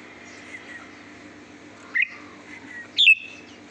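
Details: Red-whiskered bulbul singing a sweet song: two short, bright whistled notes about a second apart over a steady low background hum.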